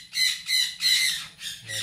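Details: Sun conure giving four loud, harsh squawks in quick succession, each about a quarter second long, with a strong ringing upper tone.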